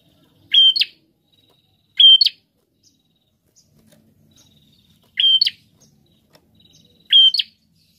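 A prinia gives four short, high whistled phrases, each ending in a sharp upward flick, spaced about two seconds apart over a quiet background.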